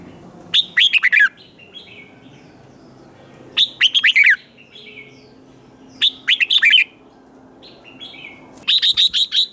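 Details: Competition song of a red-whiskered bulbul, sung to stir other birds: four short phrases of quick, tumbling whistled notes, repeated about every two and a half seconds with brief pauses.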